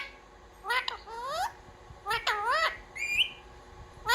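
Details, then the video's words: Pet parrot copying "mummy papa" utters two sets of looping, rising and falling voice-like syllables and a short rising whistle, against steady broadband background noise. "मम्मी-पापा बोलने वाला सुपरस्टार मिट्ठू || 100% असली बोलने वाला मिट्ठू | Viral Parrot Talking Video"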